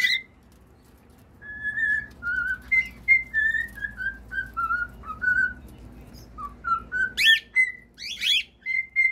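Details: Cockatiel singing a stepped whistled melody of short notes gliding up and down, followed by harsher sweeping chirps and clear whistles.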